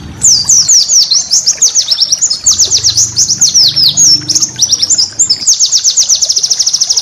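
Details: Cage-bird training song of a white-eye, full of special bursts: a dense, continuous stream of very high, quick downslurred twitters, ending in an even, rapidly pulsed trill, with a low hum underneath.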